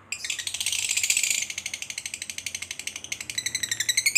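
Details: Fighter lovebird in a long ngekek trill, a call meant to provoke another lovebird into fighting: a continuous rapid rattling chatter, high and harsh, pulsing steadily for over four seconds, slightly rising near the end.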